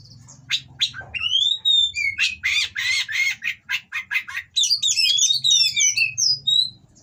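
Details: Oriental magpie-robin in breeding condition from captive stock giving harsh song meant to provoke rival birds: a sweeping whistle, a row of evenly spaced buzzy rasps, then fast twittering whistles, over low hum.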